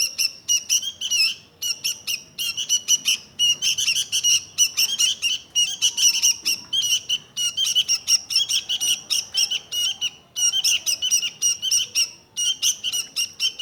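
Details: Long stretch of kutilang, the Indonesian sooty-headed bulbul, pouring out rapid raspy chirps in dense phrases with occasional short breaks, steady volume.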